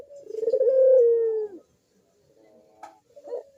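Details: Barbary dove calling actively, its song a lure for reluctant doves: one long, rolling, gently descending coo lasting about a second and a half, followed by quiet faint notes.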